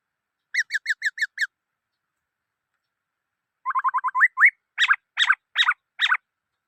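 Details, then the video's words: Black-throated laughingthrush song: five quick ringing notes, a pause, then a rapid run of notes climbing into an upslurred whistle. It ends with four loud, harsh, chopped phrases. Nothing else is audible. "Noog Sab Hwj Quaj Dib Tuaj Zoo Heev {นกมะเกลือร้องเพลงNk makelụ̄x r̂xngphelng}"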